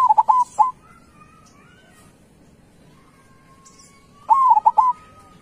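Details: Local zebra dove singing a loud song: two cooing phrases about four seconds apart, each a rising opening note followed by three quick, clipped coos, with faint whistles from other birds between phrases.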